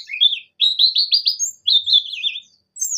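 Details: Buxton's Javan white-eye in vigorous song meant to stimulate other white-eyes: high chattering twitter of quick repeated downslurred whistles in two bursts separated by a short pause.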